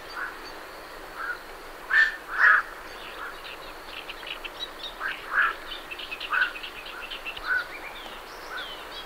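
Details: Night herons calling as birds leave their roost: short, harsh, croaking 'kwok' notes, some doubled, repeated irregularly throughout, with great reed warblers faintly in the background.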